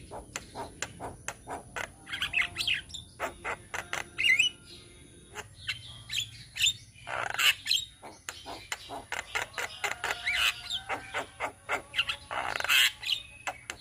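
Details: Javan myna flock from Indonesia in a dense 'ombyokan' chorus: steady dry clicking rasps underlie scattered whistles and loud harsh squawks, several birds calling at once.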